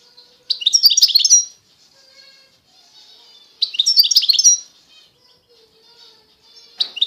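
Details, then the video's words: European goldfinch of the Constantine type from eastern Algeria singing: two bursts of rapid, tinkling twittered song with buzzy, liquid notes, each about a second long, separated by quiet pauses, with a third phrase starting at the end. "تغريد الحسون القسنطيني الاصيل (حسون الشرق الجزائري)"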